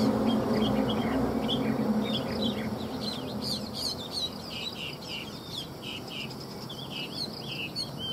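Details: Singing Chinese hwamei, a captive bird sold in Vietnam. A quick series of short chirped and whistled notes, denser toward the end, is partly masked by loud low rumbling background noise.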